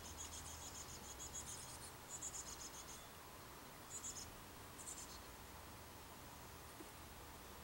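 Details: Chickadee chicks, two of a brood of four, calling while leaving the nest on May 24th, 2015: faint, very high buzzy bursts of rapid notes, repeated in short clusters over a steady low background hiss.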